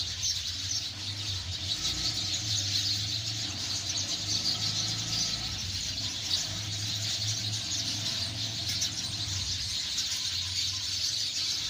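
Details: Many sparrows chirping at once, a constant bright chatter of tiny overlapping notes, accompanied by a droning low traffic hum that swells and fades.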